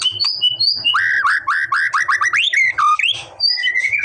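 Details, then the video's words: White-rumped shama song played to provoke a response: a fast series of repeated rising whistled notes, about three per half second, framed by higher sweet whistles, over a low thudding hum. "MURAI BATU MALES BUNYI!!! CUMA BUTUH 5 DETIK LANGSUNG RESPON!!!"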